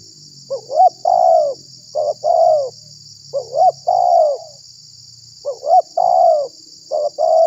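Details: Spotted dove cooing as a lure to attract wild doves and set other doves off: four three-part phrases of rising short notes and long falling coos, with a pause mid-way; faint low hum and constant high hiss.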